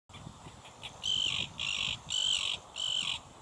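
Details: Common terns (Sterna hirundo) calling: four harsh, grating, high rasping screams about half a second apart, over faint low background rumble.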